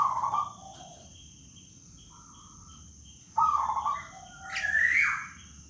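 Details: Young local black-naped oriole giving plaintive wailing calls: buzzy nasal notes, a short flat whistle, then a loud harsh rising-and-falling squeal, over steady background hiss and insect-like high tone.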